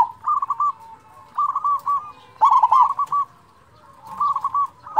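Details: Local zebra dove song meant to trigger silent doves: strings of rolling, stuttering coos in short bursts, one louder phrase mid-way, steady low hum beneath.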